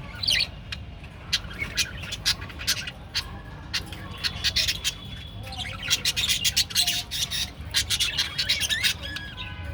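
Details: Family group of Japanese budgerigars, kept as pet birds, giving continuous high, scratchy chirps and chattering squawks in dense overlapping bursts, with several birds calling at once.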